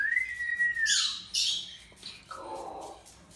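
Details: A Moluccan (salmon-crested) cockatoo, Cacatua moluccensis, gives a long, arching whistle, then two harsh, rasping screeches, ending with a lower, grating squawk.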